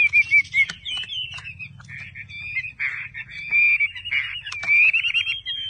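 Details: Chinese hwamei from a Vietnamese bird trader delivers a continuous warbled stream of mid-high whistled notes, broken by sharp clicks and brief pauses, over a low steady hum.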